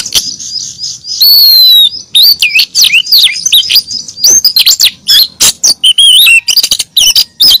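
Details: Female oriental magpie-robin calling the male, used as a lure: a dense run of loud, high whistled notes, swooping slurs and sharp chips, closely packed and almost continuous over seven seconds.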